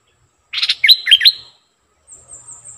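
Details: Streak-eared bulbul kept as a decoy bird, delivering a short, loud burst of bubbly warbling notes that swoop up and down for about a second, then a quiet hiss.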